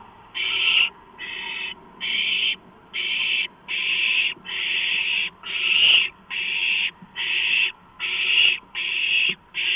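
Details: On 23 March 2015 owlets beg as a large rodent arrives; rough, breathy screeches roughly once per second, evenly loud, separated by short quiet gaps.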